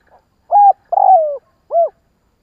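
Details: Spotted dove calling to stir doves into quick calling. A faint opening note, a level coo, a long rough coo sliding down, and a final arched hoot form one clear phrase.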